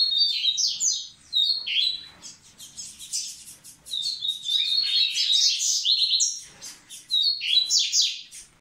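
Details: Singing to ready the females, a Double-collared seedeater gives twittering phrases of whistled slurs and high chips, running faster and denser mid-clip before returning to short, clear whistled figures.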